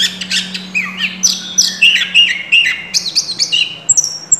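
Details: Energetic Oriental magpie-robin song full of learned phrases from tutor birds: bright whistles sliding up and down, clipped chirps and high thin notes delivered rapidly and unevenly, with a faint low hum behind.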